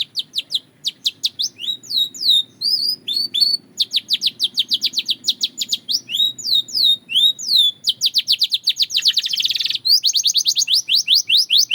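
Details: Belgian canary in full song: continuous fast trills of repeated downward whistles alternating with swooping phrases, and a brief harsh buzzy roll near the end.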